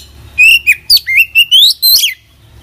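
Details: Oriental magpie-robin, known locally as kacer, in vigorous full song with inserted phrases: one phrase of six or seven clear whistles, gliding and climbing in pitch, over a quiet low hum.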